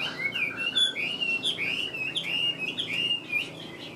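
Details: Song of a captive Chinese hwamei, a bird kept for its singing: loud, clear, fluty whistled phrases slurring up and down in an unbroken, varied stream, with occasional sharper high notes.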